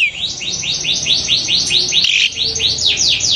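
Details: Long-tailed shrike call, said to rouse other shrikes into excitement and immediate song: a steady run of bright downward-sweeping notes repeated about twice per second over a constant hiss.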